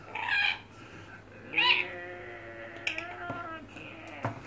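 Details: A pet Indonesian red lory, 14 years old, plays indoors and makes a loud raspy squawk, then a second harsh screech, trailing into a drawn-out nasal tone with a few clicks and knocks.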